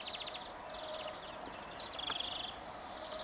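European greenfinch song: fast twittering trills broken by a drawn-out nasal wheeze, over a steady low background hum.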